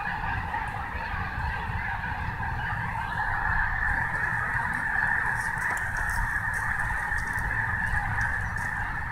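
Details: Snohomish snow geese in a massed chorus, many birds honking at once in a continuous yelping blend that swells slightly midway, over constant low background rumble.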